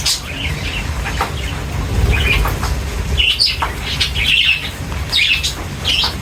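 Budgerigars chirp in short, warbling bursts over a steady low rumble and some wing flutter.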